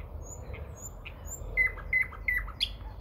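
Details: Common nightingale singing near Moscow in early May: a sequence of short, sharp whistled notes, several clipped pure tones repeated roughly every third of a second, over a low background rumble.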